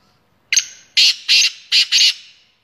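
A black francolin gives a quick, harsh, grating phrase of five rasping notes within two seconds; nothing else is heard.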